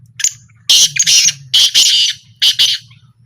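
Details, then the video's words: Black francolin calling during a small trial: loud, rasping, broken phrases of two or three harsh notes, about one phrase a second, over background men's voices. "A Small Trial Of Black Francolin"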